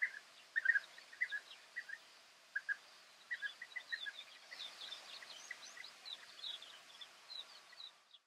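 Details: European bee-eaters in the Camargue, France, in May 2018 give short, liquid rolling notes in loose bursts, joined by higher, busier chatter from several birds, over a steady background hiss.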